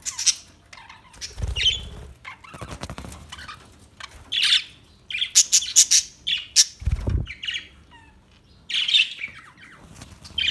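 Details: Budgerigars make sharp chirps, buzzy squawks and short warbles in irregular bursts, along with a few low thumps and some rustling.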